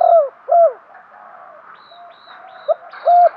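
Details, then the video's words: Captive decoy spotted dove calling to draw in wild doves, giving two loud falling, bending coos, a quiet gap with faint higher chirps, then a final strong coo. "chim cu mồi thúc gù, chim cu gáy kích bổi mới nhất, cu cườm thúc gù giọng hay"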